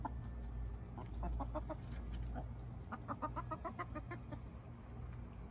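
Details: Backyard hen pecking; soft low clucks in quick irregular runs, scattered short notes, with rustling and low background rumble.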